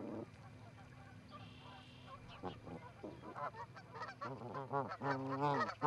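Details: Two Canada geese at an osprey nest in Charlo, Montana, 7 April 2018, recorded by a live camera; quiet at first, then a rapid, quickening series of nasal, bending honks that grows louder toward the end.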